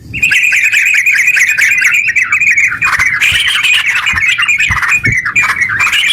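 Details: Chattering 'gacor' song of a sooty-headed bulbul, used to spur other bulbuls into song; dense, rapid twittering, a brief dip near three seconds, then renewed sharp, slightly scratchy notes.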